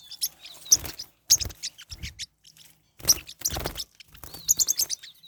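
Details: Pacific parrotlets, kept birds, fighting: bursts of harsh, scratchy chattering with sharp high chirps, broken by short pauses, plus thumps and scuffling of the scuffle.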